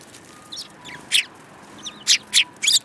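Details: Group of sparrows in Japan, including a yellow-beaked one, 21 January 2018: soft faint twitters followed by loud sharp chirps in quick succession, over constant background noise.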